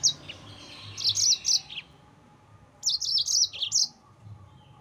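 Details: Yellow-fronted canary song used to provoke rival birds: two short bursts of bright, rapid chirped phrases at high pitch, each around a second long, separated by a quiet gap.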